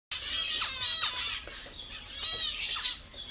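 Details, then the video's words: Zebra finches, captive birds feeding, singing, chirping and bathing; dense high chirps and nasal notes overlap, with fluttering and splashing wing sounds from several birds at once. "Zebras finches song, chirp, sound and bathing"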